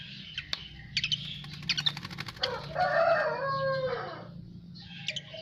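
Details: Asian pied starling singing after bathing: bursts of sharp, rattling clicks, then a run of warbled, liquid, slurred notes in the middle, ending with more scratchy chatter.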